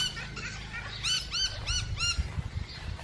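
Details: Feeding musk lorikeets give a run of arched, shrill screeches, about four in a quick series mid-clip, with softer chatter before and low rumbling noise beneath.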